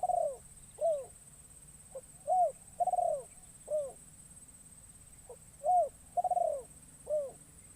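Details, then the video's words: Trained decoy spotted dove, newly taught and brought into the forest for the first time, calling to lure wild doves: soft arched coos in loose phrases, each with a longer quavering note, over a steady high hiss. "Burung Terkukur Pikat"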